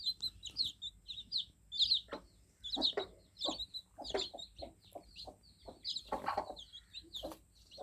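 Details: Recently hatched chicks produce bursts of thin, piping cheeps, some doubled, with gaps between, while intermittent knocks and shuffling sounds rise beneath them.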